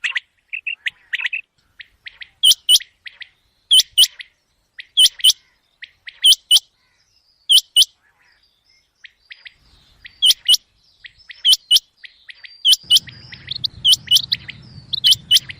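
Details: At night, a common quail repeats crisp, high paired notes about every 1.3 seconds over a long series. A low hum rises in the background toward the end.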